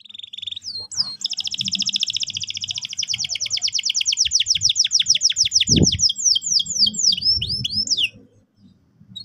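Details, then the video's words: Canary in full song, used as a lure to prompt young canaries to roll sharply: a brief whistled note, then a long fast rolling trill of repeated high notes, ending in swept slurred chirps before falling silent. "PANCINGAN BURUNG KENARI GACOR EFISIEN AGAR PAUD CEPAT NGEROL TAJAM & PECAH SUARA"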